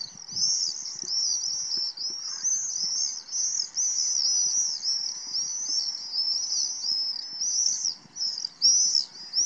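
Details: Common swifts flying over Tancat de Milia at dawn in spring, feeding on mosquitoes above a green filter wetland; a continuous chorus of shrill, high screeching trills, overlapping arcs rising and falling almost without pause.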